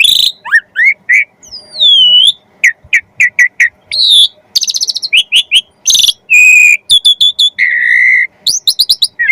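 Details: Jalak suren (Asian pied starling) delivering a gacor song full of isian, intended to make other birds sing quickly; rapid mix of whistles, rattling clicks, harsh buzzes and a steady held tone.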